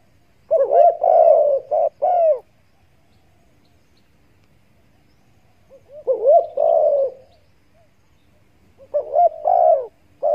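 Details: Spotted dove calls edited into a lure for hunters: three bursts of mellow, hoarse cooing, each a quick run of two- and three-note coos, separated by pauses of several seconds of near silence.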